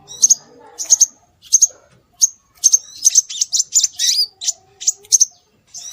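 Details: Scarlet minivet calls played to lure birds: crisp, high doubled whistled notes repeated at steady intervals, running into a quick twittering cluster midway, then more single sharp notes.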